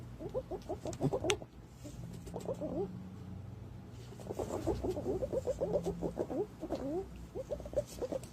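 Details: Green pigeon lure sound: quick, low, bouncing notes in short runs from several birds, a pause of about a second and a half, then lively chatter resumes to the end.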